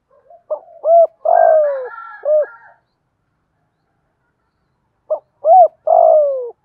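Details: Spotted dove cooing in the 'giọng thổ' voice style, used as a decoy call to draw other doves into calling. Short clipped notes lead into a long, falling, mellow coo. The phrase comes twice, with a quiet gap between.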